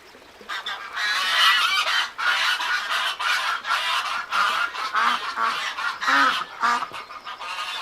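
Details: Many ducks call together in a dense, continuous chorus of harsh, overlapping quacks with barely a pause.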